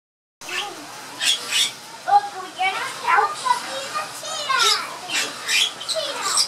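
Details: A Bali myna in a small entry aviary at Lowry Park Zoo sings a varied, rambling run of clear whistles, slurred falling notes and harsh, chattering squawks in quick bursts every second or so, despite noisy children entering nearby.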